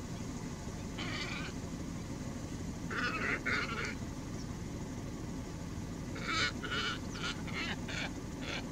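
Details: Glossy ibis 'singing' at Alykes Kitros in Greece: groups of coarse, grating croaks, a single note, a pair, then a quick run of five or six, with constant background rush.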